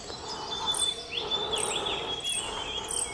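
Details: Little pied flycatcher (Ficedula westermanni) in Pelling near Pemayangtse Monastery, May 2022, giving thin, high chirps and a few short twittering notes over a steady, shrill insect drone.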